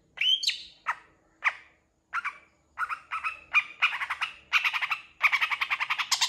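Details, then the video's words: Long-tailed shrike song, full of varied mimicked phrases: upslurred whistles and harsh sweeping notes give way to dense, buzzy chattering bursts that grow faster and louder toward the end. "CENDET GACOR FULL ISIAN CEPAT DI RESPON PENTET LAIN"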